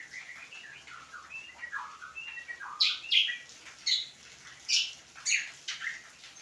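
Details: Cucak kombo, the greater green leafbird, in a rambling song. It opens with soft warbled and slurred whistles, then turns to louder, sharp, clipped notes repeated roughly every half second to second.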